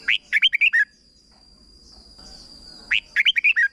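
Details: Short 'berb' style red-whiskered bulbul song for teaching young birds: two rapid phrases of five or six bright, warbling whistles, separated by a two-second pause, with a faint constant high tone.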